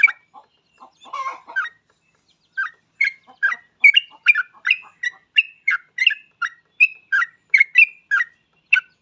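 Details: Actively singing yellow-vented bulbul, a lure to get other bulbuls singing: a few scratchy notes open into a steady string of liquid, bubbling phrases, roughly two per second.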